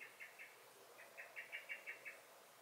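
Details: Garden blackbird in May raising alarm: three quick chinks, a short pause, then a rapid series of about seven metallic chattering notes.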